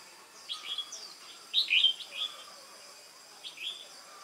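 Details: Red-whiskered bulbul, wild-caught, on 22 October 2018, singing for a contest: scattered chirps lead into a loud, rolling, warbled phrase, followed by quieter whistled notes and a short closing phrase.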